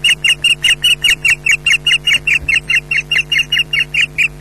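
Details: At a Scottish nest, a female osprey berates the male arriving to mate without fish, giving a long unbroken run of piercing, slightly rasping yelps at a fast steady pace, around three per second, over a low hum.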